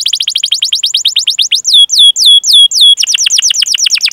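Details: Canary training song to stimulate young or silent canaries, long 'cuit cuit' chirping and rolling style: a quick series of falling notes, four drawn-out swooping whistles, then the rapid falling series again.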